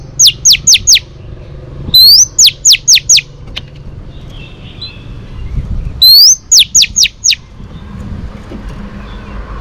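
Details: Oriental magpie-robin, a female used to stimulate males, gives loud, sharp whistled notes in quick bursts of four or five, some rising, repeated every few seconds; faint background hum.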